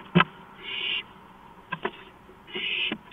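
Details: Owl on a porch at 2:05 AM on April 5, 2015, giving two harsh, breathy hiss bursts about two seconds apart, with sharp clicks between them.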